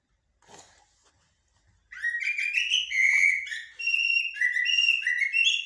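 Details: Common blackbird, its song in styles locally called blacksmith and military, delivers continuous loud whistled warbles with quick rising and falling notes after a short quiet start and a faint click.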